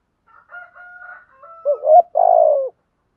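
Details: Calls of male and female spotted doves meant to stimulate others: faint drawn-out whistled tones, then one strong phrase of a rising note and a long falling throaty coo.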